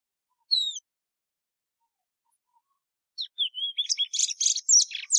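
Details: Plumbeous seedeater (Sporophila plumbea): a lone high, falling whistle, a long silence, then a rapid twittering run of slurred whistles and buzzy chips.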